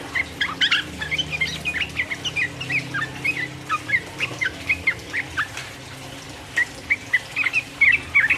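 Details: Rival-provoking sooty-headed bulbul song in the rapid 'ropel uplik uplik' style: quick bursts of bright chirped notes in clustered phrases, brief pause midway, then more sharp chirps; low background hum.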